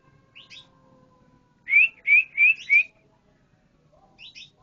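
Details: Canary singing a short phrase of four bright, rising whistled notes in quick succession, set between faint, scattered higher chirps.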